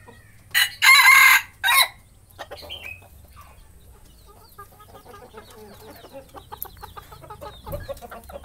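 A junglefowl gives a loud, clipped crow in three quick harsh bursts, followed by softer scattered clucks and rustling.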